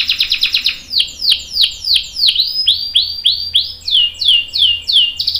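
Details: Canary in vigorous song, a lure meant to prompt other canaries to answer and sing long rolls: a quick trill, then a series of downward-swooping whistled notes repeated about three times per second.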